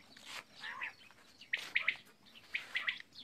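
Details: Common quail calling: two short bursts of three quick, clipped notes each, the phrases about a second apart, over a steady background hiss with softer chirps early on.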